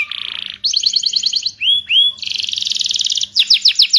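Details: Canary song meant to stimulate canaries that went quiet: a varied high phrase of fast trills, two clear upslurred whistles, a buzzy rapid roll and closing repeated sharp notes.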